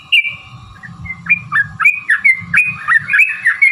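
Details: Trucukan (yellow-vented bulbul) lure song: clear, bouncing whistled notes swoop up and down in a lively, slightly irregular run over soft low background rumble.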